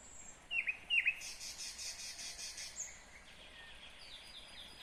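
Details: Nightingale song recorded in Kyrgyzstan, 2020: two sharp downslurred notes followed by a dense, buzzy rattling trill, then fainter repeated high notes.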